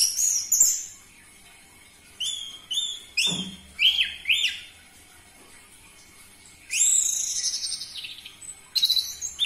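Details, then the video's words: Orange-headed thrush song used as a lure to provoke captive birds into singing: loud varied whistled phrases in short bursts separated by pauses, with rich warbling passages and a faint steady hum beneath. "Pancingan Burung Anis Merah Cepat Teler Suara Kenceng"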